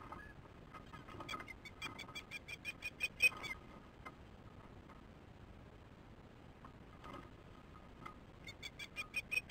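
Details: Osprey on a nest camera in the Chesapeake area, recorded 08/02/15 at 15:28 while an adult chases a new fledgling away; faint bursts of sharp, high, harmonic chirps in two clusters, early and at the end, over steady low background noise.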